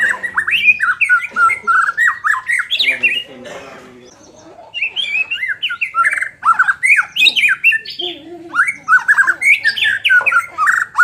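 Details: Caged white-rumped shama singing, used to fire up a bird lacking aggression: dense chattering whistles and squawks, a quieter stretch midway, then another burst of rapid varied notes.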